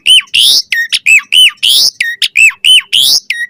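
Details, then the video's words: Asian pied starling in song for training birds: a regular cycle of hooked whistles and grating squawks, repeated about every half second. "Suara Jalak Suren Full Variasi Ocehan"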